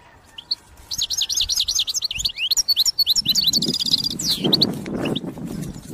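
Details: European goldfinch song intended for trapping: a quick series of sharp, sliding chirps and twitters, fast and irregular, with a low rumbling noise in the second half.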